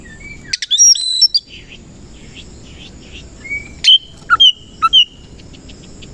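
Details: Oriental magpie-robin singing in the morning: a burst of complex squeaky notes, a soft quiet stretch, then four loud sharp downslurred whistles spaced under a second apart.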